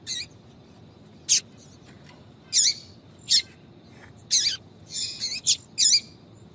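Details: Yellow-bellied seedeater female calling to attract males, a tui-tui call: short, high, buzzy chirps repeated irregularly, some single and some doubled, over quiet background hiss.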